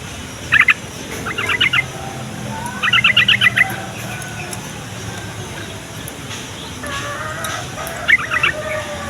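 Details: Yellow-vented bulbul song used to prompt young and flock bulbuls to answer: short bubbly, chattering phrases of quick warbled notes, given in bursts with pauses between them, over a steady low rural hum.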